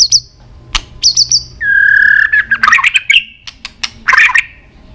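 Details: White-rumped shama flicking its tail, with song played to stir up its fighting song: sharp high chips, a long steady whistled note, then bursts of rich, jumbled, warbling phrases and squawky notes with clicks between.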